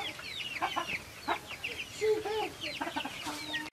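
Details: Silkie chicken farm flock: scattered high, falling chirps from several birds, mixed with short mid-pitched clucks and a brief steady hum partway through.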